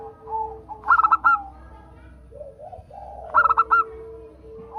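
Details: Local zebra dove song used as a prompt to get other doves singing: two bursts of four to five rapid, bright coo notes, with soft low murmuring sounds between them.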